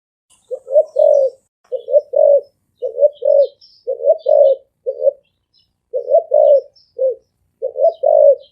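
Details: Spotted dove thổ ồm vang cooing: a long run of paired low coos, each a quick note rising into a fuller one, repeated steadily about every second, with soft high bird chirps in the background.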